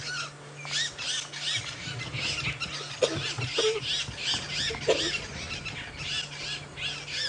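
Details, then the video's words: Many buffalo weavers chatter continuously in harsh, squeaky, scratchy bursts, with a low vehicle engine hum underneath. Heard on a sunset safari drive around 5 PM on 27 October 2016 at a lion sighting, Djuma Game Reserve area. "My goodness, those buffalo weavers are making all sorts of noise."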